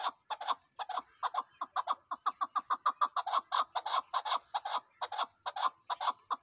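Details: Loud, close Chukar partridge delivering a continuous volley of harsh, clucking chuk notes, bunched into quick runs with brief pauses, rhythm uneven throughout the recording.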